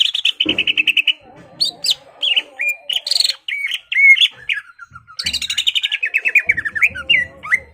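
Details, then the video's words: Greater green leafbird in energetic song to goad a rival into fighting: rapid stuttering trills, varied slurred whistles and chattering runs that drop in pitch, nearly continuous throughout. "CUCAK IJO GACOR MEMANCING EMOSI LAWAN AGAR MAU JAMTROK DAN TARUNG"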